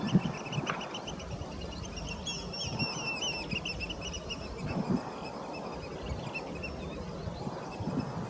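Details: Eurasian oystercatchers, six birds on a pond scrape on a June morning, getting raucous: faint shrill piping notes in rapid overlapping bursts, heard over steady low rumbling background noise.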